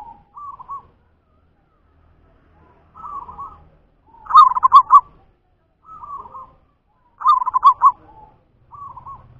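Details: Local zebra dove of natural stock: gentle warbled coo notes alternate with two strong, rhythmic rolling coos made of four or five quick pulses each. Phrases are separated by brief silences in a quiet setting.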